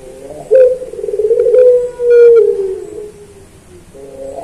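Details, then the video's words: Pelung-style song of a puter dove (collared dove), used as a training recording for pet birds: one long, low, humming coo lasting about two seconds and sagging gently at the end, with faint clicks. "Masteran Puter Pelung Manggung Atau Berbunyi"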